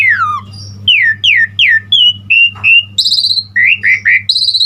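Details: Asian pied starling singing a lively, fully embellished song used as a lure and tutor for other starlings. Clear slurred whistles fall in pitch, then come short steady notes and quick rising chirps. A low steady hum runs underneath.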